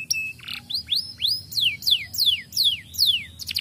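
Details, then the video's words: Canary singing energetically, played to stimulate young birds to sing: a flat whistle and a brief buzzy note, then a run of loud, high, downslurred whistles repeated about three times a second. "Kenari gacor!! plilihan untuk merangsang bunyi burung bahan"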